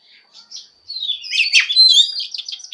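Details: Female Oriental magpie-robin (Copsychus saularis) singing to stimulate males to sing: a fast, varied run of high chirps and scratchy whistled notes, louder and denser after the first second.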